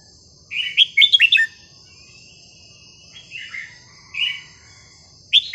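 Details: Cage-kept red-whiskered bulbul singing varied, melodious phrases to instruct young birds: a rapid series of four bright whistled notes, then quieter slurred calls spaced about a second apart, and a final sharp chirp.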